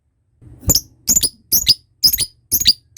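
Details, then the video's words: Lovebird chattering, part of a lure sound for training the long ngekek trill: grouped rasping notes with bright whistled tips, bursts arriving roughly every half second. "Belajar ngekek panjang,suara pancingan love bird ngekek"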